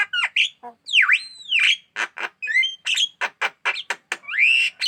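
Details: Javan myna in full song, said to be aggressive toward hands: a varied run of loud whistled slurs dipping and rising, mixed with harsh clipped notes and squawks delivered in quick succession.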